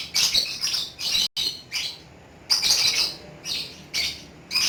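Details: Lovebird singing in the ngekek style: rapid bursts of high, harsh chattering squawks that come in clusters, broken by brief pauses, loud and close.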